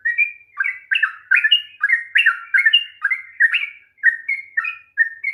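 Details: Sooty-headed bulbul delivering a long 'ropel panjang' song, used to stir a reluctant bird into singing: a rapid chain of bubbly, slurred whistled notes that dip and rise, with about fifteen phrases in quick succession.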